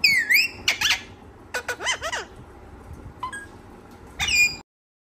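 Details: Talking parrot giving a series of squeaky, harmonic utterances: a swooping whistle-like squawk, then several quick clipped syllables with rising and falling tones, a pause, and a final loud squawk before silence.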